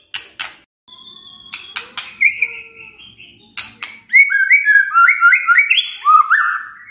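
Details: White-rumped shama song in the kretekan and tembakan styles: scattered sharp bursts and long level whistles lead into a fast series of stepped, upslurred whistled phrases.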